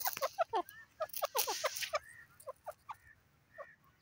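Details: Francolin giving quick clucking notes in a dense cluster, then sparser, short upward-sweeping calls spaced irregularly, with a patch of hissy noise early on.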